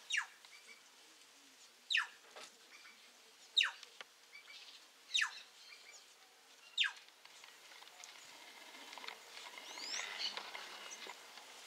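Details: A flock of plush-crested jays calling: sharp, descending sweeping notes repeated about every one and a half seconds, followed by a softer, noisier stretch of faint background sound.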